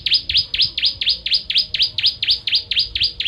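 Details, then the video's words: Rapid-fire 'tembakan' song of the bar-winged prinia, known locally as ciblek kristal, used as a tutor for other songbirds: an unbroken string of about fourteen loud, clipped, downswept chirps at a brisk, regular pace. "Ciblek Kristal Tembakan Pedas"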